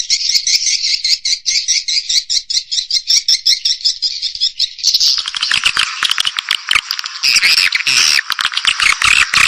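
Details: Swiftlet calling and roosting sounds used by Indonesian swiftlet farmers: fast, rhythmic high twittering pulses, then a denser, louder chattering chorus that spreads lower in pitch.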